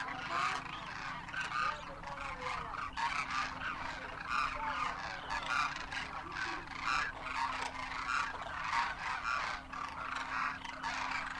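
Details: Wild Demoiselle Cranes massed in winter in Rajasthan, India, first-year juveniles with adult parents, calling as they take flight: a continuous cacophony of throaty trumpeting notes in quick overlapping bursts, plus a constant low drone.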